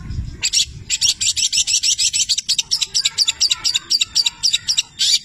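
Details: Long-tailed shrike singing actively, its song filled with imitations of labet and canary: a rapid, steady run of dry, scratchy high notes, about four per second, after a brief low rumble at the start.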